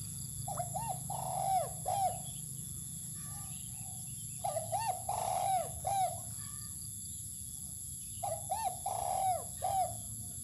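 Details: Outdoors on open land while being sunned, a spotted dove repeats its cooing phrase three times, about every four seconds. Each has a clipped opening note, a bouncing looped coo and a longer, falling drawn-out note, over low background rumble.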